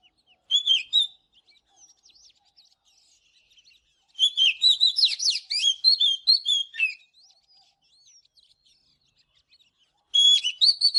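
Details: Morning singing by an Oriental magpie-robin, delivered in separate bursts: a brief whistled phrase, soft quiet notes, a loud three-second flurry of varied whistles and trills, then another phrase starting near the end.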